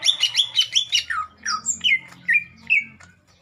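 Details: Cucak ijo, the lesser green leafbird, tested for mental toughness, opens with rapid repeated high whistled notes, then slower downslurred whistles spaced about half a second apart, with a faint low hum behind.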